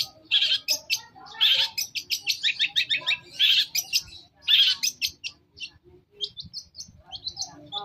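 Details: Long-tailed shrike on a lure recording meant to trigger an answering song: alternating harsh grating bursts and quick chirp runs, fading to scattered thin squeaks toward the end.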